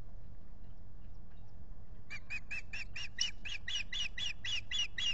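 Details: Nesting osprey pair at Salt Point near a lake, spring 2021 (April 19, evening), watched by a nest camera: silence for two seconds, then a long steady string of about fourteen shrill, slightly rising whistled chirps over low rumble.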